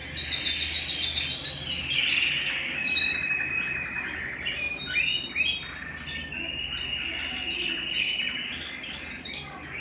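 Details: Canary singing at home, a quick run of repeated high notes leading into a long varied warble with sliding tones and short trills.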